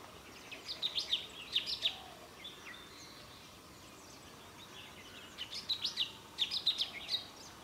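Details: Golden-fronted leafbird recorded December 2000 in Anjuna, Goa, India, giving quick bursts of high, sharp chirps and short whistled notes in two clusters separated by a quiet pause, over faint background hiss.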